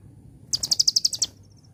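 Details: Kolibri ninja, the Van Hasselt's sunbird, in a celilin-style phrase meant for training birds to sing: a single brisk series of about nine sharp, shrill, evenly paced notes, ending with faint soft high ticks.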